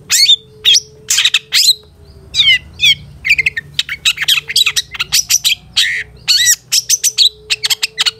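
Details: Caged-bird training recording of a long-tailed shrike: loud harsh squawks mixed with rapid scratchy chatter and short whistled notes in fast clusters, a faint steady hum underneath.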